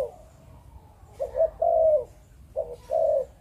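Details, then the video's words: Spotted dove from a Malaysian breeding line giving two clear 'chụp chụp ô' phrases: a soft double note followed by a longer, smooth, low coo, over a quiet background. "Chim Cu Gáy | Chụp Chụp Ô"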